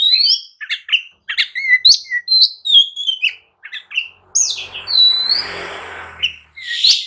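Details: Oriental magpie-robin singing agitated, provoking other birds to answer and fight: a varied run of loud whistled notes, rising slurs and short chirps, then a burst of broad rustling noise midway before whistles resume.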